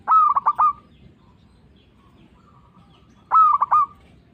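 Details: Zebra dove of a local strain, whose calls serve to lure and provoke other doves: a short run of stuttered, rolling coos at the start, then a long pause, then a second matching burst of three or four clipped coos.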